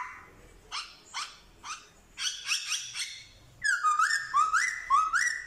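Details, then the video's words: Black-throated laughingthrush, a male from Vietnam, 15 October 2021, copying dogs, cats and chickens in song. Short yelp-like harmonic notes come about every half second, then a dense burst, then loud wavering whistles repeated in quick succession. "Khướu bạc má hót giả giọng chó mèo gà như thật"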